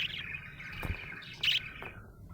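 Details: Brief happy budgerigar chatter: a scratchy warble, a soft thump, then one bright sharp chirp before the sound fades.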